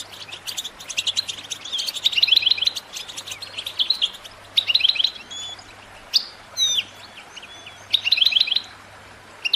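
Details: Caged European goldfinch singing to motivate other birds: sharp ticking notes mixed with brief trilled bursts and clear whistled slurs, spaced every one to two seconds, over a low hum.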